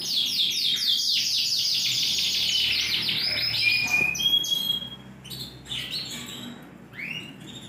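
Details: Sunkist-coloured, big-sized Yorkshire canary with a TKF ring 20, in full, energetic song on 28 January 2021. It gives long rapid high trills for several seconds, then a sharp clear whistle and quieter, broken whistled phrases with gaps.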